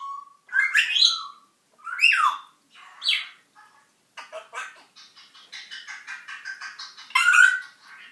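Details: Newly arrived pet African grey parrot vocalising indoors: three loud swooping squawks with rising whistled tones, followed by a rapid rattling chatter of repeated buzzy notes and a final sharp shriek.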